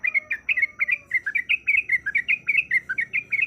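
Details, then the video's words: Breeding female yellow-vented bulbul calling a male with a fast, even stream of clear, bubbly chirps, about two per second or quicker, each note slurred up or down. A faint thin whistle sounds briefly at the start. "Suara Ropelan Trucuk Gacor Yang Ngotot Memanggil Lawan"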